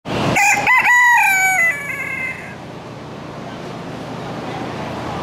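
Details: Rooster at a county fair crowing once: a loud, strained cock-a-doodle-doo lasting about two seconds, harsh at the start then drawn out and falling, followed by steady crowd and hall noise.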